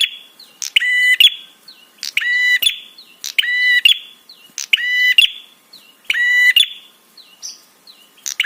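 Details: A prinia repeats its 'trapi' call, used to make other birds respond and to arouse them: steady series of rasping, overtone-rich buzzes about every second, with brief hooked chirps in between.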